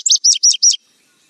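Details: Indigo bunting (Passerina cyanea) song: four quick, high, sweet notes in under a second, each sliding and slightly buzzy, then silence.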